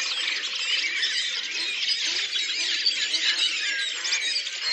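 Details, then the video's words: Redwing flock singing together at Lipovaya Gora, Oka Nature Reserve, Russia, in April 2019: a dense, unbroken mass of high twittering, squeaky and warbled notes from many birds at once, steady in loudness throughout. "Белобровик Turdus iliacus, коллективное пение стаи / song of the Redwing flock"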